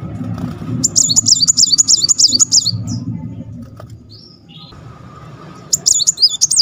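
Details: Kolibri Muncang (brown-throated sunbird) in tight "roll rapet" shooting song: a long run of fast, high, evenly repeated zigzag notes, a pause with a lone whistle, then another burst, over low background rumble.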